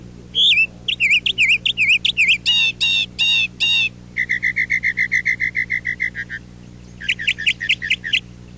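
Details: Northern mockingbird in spring, landed in a backyard tree, singing a loud, varied run of phrases, most repeated three or more times: sweet whistled notes, rapid burry trills, then quick chattering bursts.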